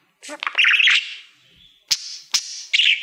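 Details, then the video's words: Pet budgerigar singing at a mirror-like plaque indoors: a scratchy warbled phrase fading into a soft buzz, then two sharp clicks and a short chirp. "Budgie singing to Youtube Playbutton"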